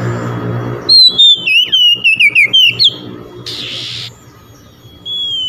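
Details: Oriental magpie-robin singing out to rivals, which reply. A single quick run of loud, clear descending whistles lasts about two seconds, followed by a short hissing burst and background noise.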